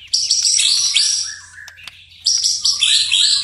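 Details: White-rumped shama singing vigorously at night: dense, bright, varied chirps and warbles pour out, pause briefly near two seconds, then resume.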